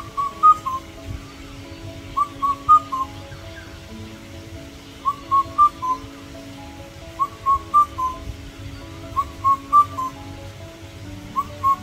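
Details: Indian cuckoo (Cuculus micropterus), song.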